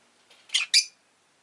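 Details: Two rapid, harsh chirps from a pet rosy-faced lovebird, the second slightly louder, preceded by a softer rasp.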